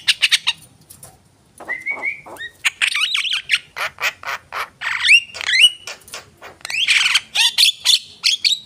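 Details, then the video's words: Javan myna, a kept bird said to sing in full; a few sharp clicks, then drawn-out nasal squawks followed by whistled slurs and fast grating chatter. "jalak kebo gacor"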